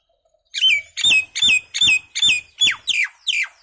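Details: Common myna song: a series of eight harsh, buzzy notes, each with a bright whistle that drops in pitch, delivered at a steady pace of about two and a half per second after a brief silence.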